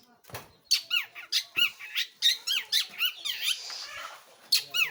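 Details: Long-tailed shrike (local name pentet or cendet) gives quick slurred, downward-sweeping whistled notes about four per second, interspersed with harsher chirps, sounding close and somewhat echoey.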